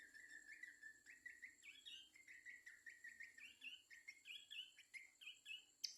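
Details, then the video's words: Babbler, kept to be trained to sing quickly, gives a lively run of short whistled, slurred notes that rise and fall, repeated in quick succession around the middle pitches with a few higher flourishes; a steady high hiss runs behind. "Bikin pelanduk semak bahan cepat bunyi"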